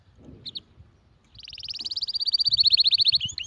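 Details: Canary song: a short high note, a pause, then a long fast even trill of bright pulses that steadily grows louder, over low background rumble.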